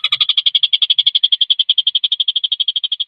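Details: Javan cochoa singing in a continuous, even, rapid trill of sharp high notes, about eight pulses a second at a steady pitch, with no other sounds, recorded as a model song for training competition birds.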